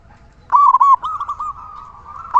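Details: Vigorous local zebra dove with a big voice, used to draw other zebra doves into song; a single loud, rolling, mellow cooing phrase followed by a long, quieter, wavering trill.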